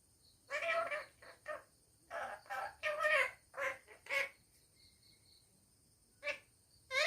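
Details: Pet parrot talking at home: a lively sequence of rapid, harmonic, word-like syllables in quick clusters, pausing for over a second before two more bursts, against a faint high hum.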